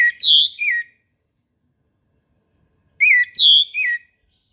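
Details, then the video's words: Orange-headed thrush singing in the morning: the same loud, rich three-note phrase given twice, about three seconds apart, with silence between. "PANCINGAN ANIS MERAH TERBARU 2022 | BURUNG MACET LANGSUNG IKUT NGEMPLONG"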